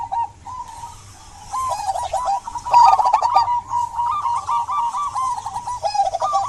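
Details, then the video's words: Lively local zebra dove singing to stir silent doves into song: a few soft coos at first, then a long, continuous stream of quick, warbling cooing notes with faint rustles and clicks behind. "Perkutut lokal gacor buat pancingan perkutut pendiam agar bunyi"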